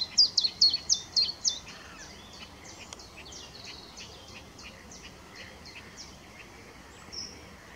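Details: Willow warbler giving mixed singing at RSPB Middleton Lakes on 25 June 2023: a quick run of high, sweet notes that starts loud and trails off into a softer, drawn-out sequence of repeated notes.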